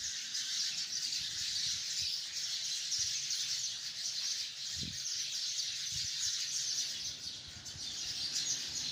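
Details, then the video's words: Hundreds of sparrows in one tree create a thick, ceaseless chatter of high chirps, broken only by a single soft low thump near the middle. "chirping of hundreds of sparrows in the tree"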